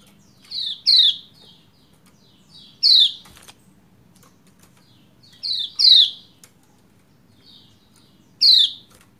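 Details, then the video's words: Lombok white-eye female calling the male to get him singing, with seven short, buzzy down-slurred chirps, mostly in pairs, separated by pauses of a few seconds. "Ciak Ciak Pleci Lombok Betina Memanggil Jantan Supaya Cepat Gacor"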